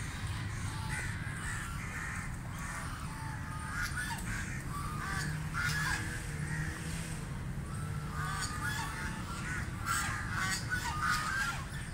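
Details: Call duck feeding in water gives loud, harsh, nasal quacks in irregular bursts, several per second at times, over a steady low rumble of dabbling water.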